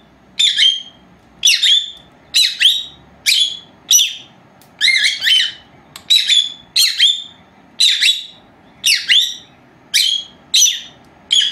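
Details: Two female lovebirds aged four months, resting for a siesta indoors, recorded by an old camera left running alone; steady series of sharp, harsh squawking chirps repeated roughly every second, evenly spaced throughout.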